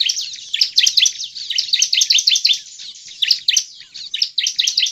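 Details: A bar-winged prinia in full song, used as a lure to draw other prinias, sings a fast, continuous run of high, sharp chirps and trills, rapid notes tumbling together without pause.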